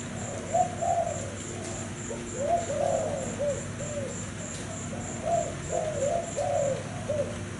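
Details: Spotted dove of a Thai line with cream plumage, caged, delivering a long run of low, gentle, wavering coos in quick succession, over background hum and a steady high-pitched ticking.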